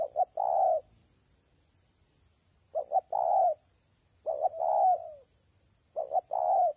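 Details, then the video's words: Spotted dove in wet, windy conditions: four clear, loud coo phrases spaced about two seconds apart, each two short hollow notes and then a long, full coo. "Thời tiết mưa gió ace vào nghe cu gáy gù cả ngày"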